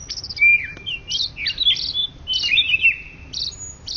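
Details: Greater green leafbird (cucak ijo), Indonesian champion of 2013–2014, delivers clear, loud whistled slurs sweeping down then up, joined by buzzy high chirps in short rich phrases, with clean background.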